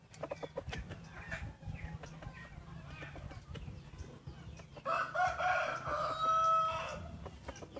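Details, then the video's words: Wild chickens at dawn during Hmong New Year, 15 December 2020. Scattered clucks and taps over a low hum give way to a clear, harmonic crow of about two seconds. "Qaib qus txuam qua thaum sawv ntxov hmoob peb caug xiab ib ปีใหม่ม้งวันที่1กับเสียงขัน"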